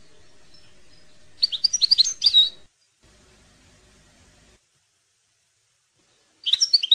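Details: European goldfinch song for schooling young birds: a burst of sharp, twittering high notes lasting about a second, a quiet gap, then another short twittered phrase.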